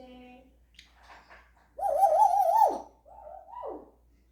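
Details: Indoor African grey parrot doing animal imitations such as a horse: a low steady tone, a few soft rasps, then a loud sustained wavering cry that breaks off, followed by a shorter rising-and-falling note.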